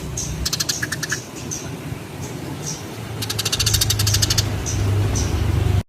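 Sparrows give short, high chirps and two rapid chattering bursts of clicky notes over a steady low rumble like an engine or machinery.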